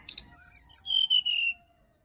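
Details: Wild sirdadu singing in a Bali forest: a quick burst of high, clear whistled notes, first rising then sliding down in steps to a falling, drawn-out whistle, all within about one and a half seconds.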